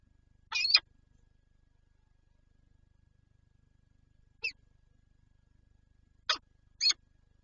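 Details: Peregrine falcons at a Lublin nest holding an egg, Poland, 19 March 2022: a few thin, high, scratchy notes, one at the start, then a lone note and a closing pair.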